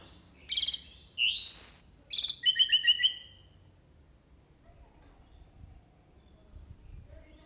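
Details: Jalak uret starling singing full isian: a loud burst of harsh chatter, an upward whistled slide and a fast stuttering trill of about six notes, followed by several seconds of quiet background.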